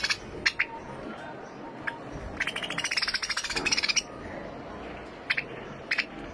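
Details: White finch giving scattered sharp chirps, then a fast buzzy run of rapid repeated notes lasting over a second, followed by more single chirps against a steady low background hum.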